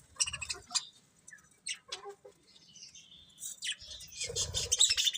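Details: Pet budgies chirping in irregular bursts of high scratchy notes, a brief thin whistle in the middle, then a louder busy warbling chatter with low rustling toward the end.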